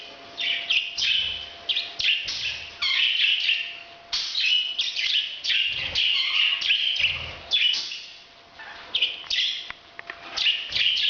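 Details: Harsh, high chattering from a parrot in breeding, made of dense clipped chirps and squeaks in rapid strings, broken by brief pauses near the fourth and eighth seconds.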